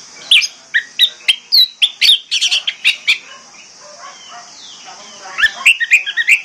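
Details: Orange-headed thrush singing as a lure for birds that will not sing: a fast, regular string of loud chips and short whistles, a quieter middle section, then a tumbling burst of varied notes with a hiss throughout.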